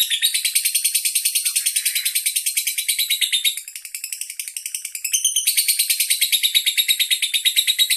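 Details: Captive andong lovebird from Bandar Lampung showing off how long it sings: continuous high-pitched ringing chatter at roughly three notes per second, dipping quieter midway before resuming strongly.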